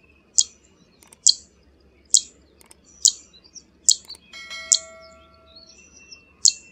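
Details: Zitting cisticola uttering loud, high 'zit' clicks roughly every 0.85 seconds, eight in all. A steady ringing bell-like tone sounds briefly in the middle.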